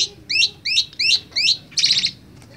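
A young Asian pied starling practising its chatter: five quick curved whistled notes about three per second, ending in a harsh buzzy rattle. A faint low hum lies beneath.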